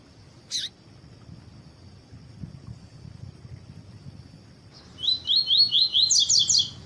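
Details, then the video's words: Female double-collared seedeater calling to excite her male: one short sharp descending note, a long quiet pause, then a fast run of about eight bright rising notes. "COLEIRO TUÍ-TUÍ FIBRA COM FÊMEA CHAMANDO PARA ESQUENTAR SEU COLEIRO"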